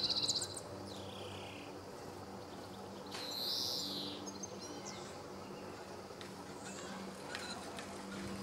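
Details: Male European greenfinch at Sabunike, Croatia, 26 July 2014: a brief rapid chattering trill opens, then a long, broad, buzzy wheeze swells and fades mid-way, over a steady low hum.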